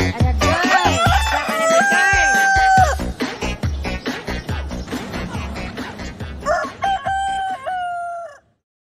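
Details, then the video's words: Rooster gives two crows, the first held and falling early on, the second near the end, amid busy rhythmic music that fades out at the close. "Galo 🐓 a cantar"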